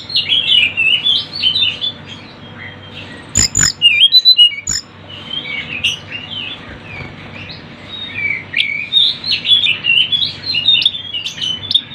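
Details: Sunda bush warbler (tledekan gunung) on a lure recording full of bird sound: fast high twittering and slurred chirps in dense bursts, interrupted midway by several sharp clicks and squawk-like notes, then more rapid chatter.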